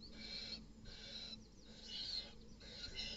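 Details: Male barn owl, not the father, at a nest box in a tree at night, intruding on another male's chicks and killing them; repeated harsh hissing screeches, broad and noisy, each about half a second long, separated by short gaps.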